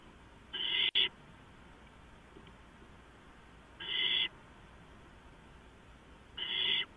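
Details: Three owls sharing a nest box with a camera, early morning 4:45 AM, April 6, 2015; three even, hoarse hissing screeches, each about half a second long, spaced roughly every two and a half seconds over a quiet hum.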